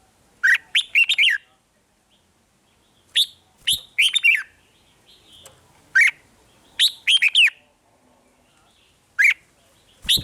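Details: Red-whiskered bulbul song played to excite caged birds in Thailand: short bursts of rich, bubbly whistled notes, three to five quick slurred syllables per phrase, repeated every two to three seconds with silent gaps between.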